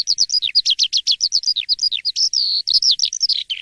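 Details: Asian pied starling in full morning song, loud and lively: fast repeated chirping notes, each slurring downward, interrupted at mid-point by one sustained level whistle, then more rapid notes.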